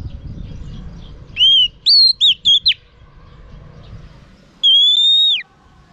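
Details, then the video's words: Clear, arched whistles from a female oriental magpie-robin singing to stimulate males: four quick notes, then a long steady whistle that falls sharply at its end, against soft background noise. "Choè than mái kích trống hay nhất"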